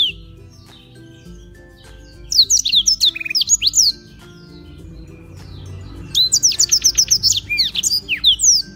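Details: In Beng, Gianyar, Bali, a black-throated canary used for tutoring sings two bursts of fast repeated high chirps and slurred whistles, divided by a quiet gap of about two seconds, over low background hum.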